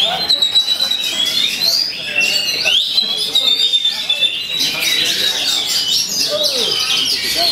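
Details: Singing Oriental magpie-robin imitating white-rumped shama phrases, delivering a long rolling sequence of high clear whistles, quick sweeping slurs and rapid chattering notes without pause, some soft lower chirps beneath.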